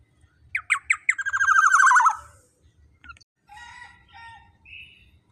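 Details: Black-naped oriole calling boldly to rile rival birds: three clipped downslurred notes and a long rasping, wavering nasal note, followed by softer scratchy notes and a brief higher whistle.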